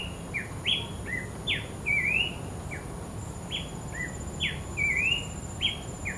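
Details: An Abbott's babbler in the wild keeps up a lively run of short clear whistles, falling slurs and a looping upward phrase repeated every few seconds, while insects drone steadily at high pitch.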